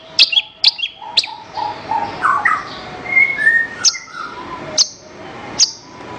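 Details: Horsfield's bush lark (branjangan) song for training other songbirds. Sharp high chirps alternate with softer, lower whistled phrases and gliding notes, ending in widely spaced single chirps.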